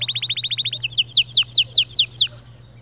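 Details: White male canary in motivational song: a rapid trill of about ten notes gives way to loud, falling slurred whistles at roughly five per second, then fades, with a constant low hum underneath.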